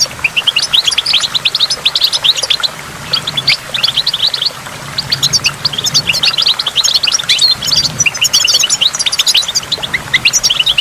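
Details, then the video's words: Goldfinch by a waterfall pouring out a long, fast twittering song of high trills and chirps, with a short lull before resuming, water noise steady throughout. "in the waterfall stimulates goldfinch and water drops"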